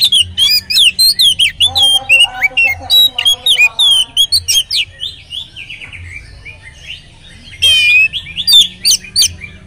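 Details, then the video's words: Oriental magpie-robin singing richly as a lure for others of its kind: a long, busy stream of whistled slurs and clipped chirps, some buzzy notes midway, with a soft rhythmic low thumping beneath. "kacer gacor materi mewah pancingan kacer ikut gacor bongkar materi"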